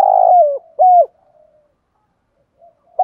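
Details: Spotted dove used as a decoy, calling at daybreak to attract wild doves: a long buzzy coo that falls away and a clean hoot, then near silence with a faint soft note and a final short call.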